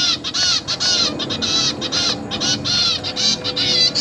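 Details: Zebra finch chicks in a cage, fed by their parents; dense overlapping buzzy, nasal begging calls repeating rapidly throughout, with no clear gaps.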